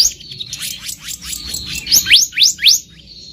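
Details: Wild black-naped monarch: faint chattering notes followed by four loud, steeply rising whistles in quick succession; a sound intended as a trapping lure.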